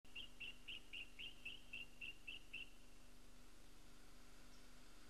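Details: Regent honeyeater (Xanthomyza phrygia) in Capertee Valley, NSW, Australia, June 1997, gives about ten short, high, clinking notes in an even run over two and a half seconds, then silence over a low steady hum.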